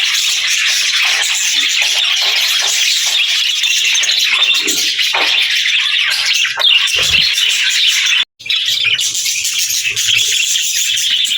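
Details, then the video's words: A busy group of budgerigars chirps and warbles continuously, thin twittering notes mixed with harsher squawks, with a brief dropout and a few low knocks partway through. "Budgies Chirping Sounds"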